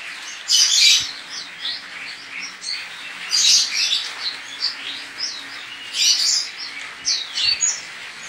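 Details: White-eye from Pontianak, West Kalimantan, Indonesia, singing for an online singing contest; fast, high, sweet twittering with three loud chattering bursts spaced about three seconds apart.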